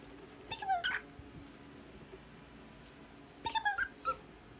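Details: Pet Lutino red-eye cockatiel in the Philippines during its bedtime ritual gives two bursts of squeaky, harmonic chirps that slide down and then flick upward.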